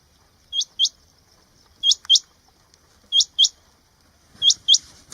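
A rain quail gives sharp, high, metallic notes in quick pairs, repeated steadily.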